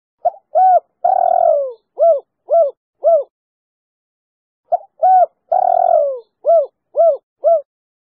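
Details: Two matching phrases from a female spotted dove, a clear-voiced three-note cooer used as a lure for other doves. Each phrase has a brief lead-in, a rounded coo, a long sagging coo, and three crisp short coos about half a second apart.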